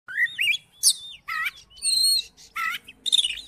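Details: Oriental magpie-robin song used to provoke a silent magpie-robin into singing: varied whistled phrases, rising and falling slurs, interspersed with harsh buzzy bursts and short pauses between phrases.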